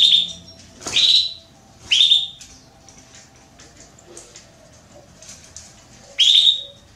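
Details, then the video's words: A Belgian canary female calling for a mate: three quick high chirps in the first two seconds, a pause, then one more, each rising sharply into a clear level note. "Canário Belga Fêmea Pedindo Gala"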